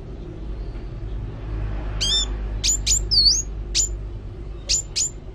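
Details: High, thin sunbird notes, some sharp and sweeping down, one a curved whistle, given singly or in small clusters at uneven gaps over a steady low rumble.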